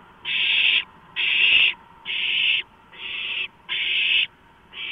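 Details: Owlets at a nighttime food delivery of a large rodent, 23 March 2015. Six evenly spaced, harsh breathy screeches, each about half a second, with clean pauses between them.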